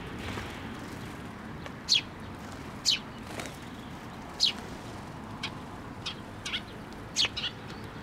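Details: Sparrows visiting a post for food at a Tenmangu shrine on 26 May 2024 give short, sharp high chirps, single or in pairs, spaced about a second apart over a steady low background hum.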